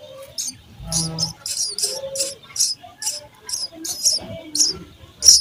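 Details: Baby sparrows in their nest being fed make rapid, high, scratchy chirps in a steady run of bursts, with a brief low hum and soft murmurs underneath.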